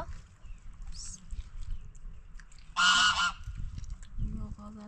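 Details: Domestic goose; contact call; flock calling out to find a lost goose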